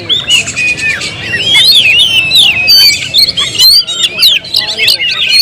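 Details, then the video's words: Oriental magpie-robin in a cage pours out rapid whistled and chattering phrases, notes sliding up and down in a continuous varied song. "suara kicau burung Kacer"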